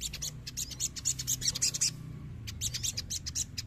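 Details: Crimson sunbird, an untrained bird being provoked into song, giving fast strings of sharp, very high twittering notes, stopping briefly near two seconds before resuming; a low droning hum runs underneath.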